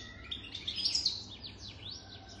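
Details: A European goldfinch, owned over 3 years, sings a rapid, tinkling stream of high twitters and liquid notes with quick rising and falling slurs; faint low background hum.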